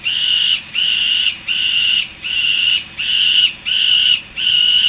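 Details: Young peregrine falcons returning to the nest in Harrisburg, USA: harsh, whining calls, each about half a second long and repeated steadily with short gaps, seven in a row, all at the same high pitch.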